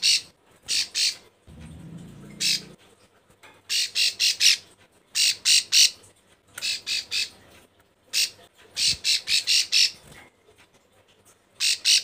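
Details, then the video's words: Female bar-winged prinia in breeding condition, calling to males. Raspy, squawking notes come in tight clusters of three to five, with short gaps between clusters. A brief low rumbling noise is heard early on. "Burung Ciblek sawah Betina birahi gacor panggil jantan"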